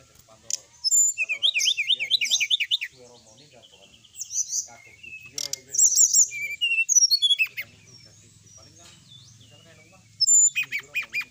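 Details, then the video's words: Brown-chested jungle flycatcher song meant to provoke rival birds to respond: bursts of rapid zigzagging high chirps and twittering phrases, separated by short pauses, with varied sharp whistles and a low hum in the middle. "suara pancingan srdc agar lawan cepat emosi gacor,auto langsung cepat respon.."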